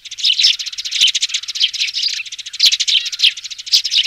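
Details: Nestling sparrows in a loud, busy chorus, used as a speaker lure for bird trapping. Rapid high chirps overlap continuously, swelling in short bursts, with a few faint clicks in the background.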